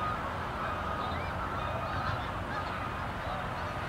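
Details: Canada geese at South Utica Reservoir, Utica, New York, in November during fall; a dense chorus of many honks overlapping continuously, with steady background murmur throughout.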